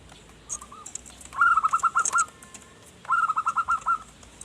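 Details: Zebra dove song for luring wild birds: soft introductory coos followed by two fast, rolling runs of bright cooing notes about two seconds apart, with scattered clicks.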